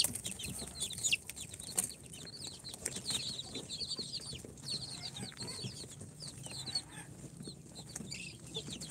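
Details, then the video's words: Incubator-hatched chicks on day four, Sultan, Golden Sebright, Cochin and booted breeds, give a steady, fairly soft chorus of high peeps, with bumps, rustling and a low hum in the background. "Chicks hatched from the incubator- Day 4 - Tatlı Civcivler - Cute chicks🐥- كتاكيت"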